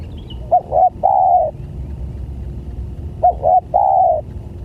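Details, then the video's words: Spotted dove lure call for drawing in other doves, two phrases each of two clipped hoots and a long sustained mellow coo, repeated about every three seconds, with low background rumble. "Suara Pancingan Tekukur"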